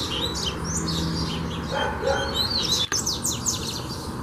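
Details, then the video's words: Coleiro (double-collared seedeater) singing during a fibra training session: rapid high chirps and short slurred whistles, some sweeping downward, crowded together over a steady low hum, with a brief click near the three-second mark. "Coleiro Cantando"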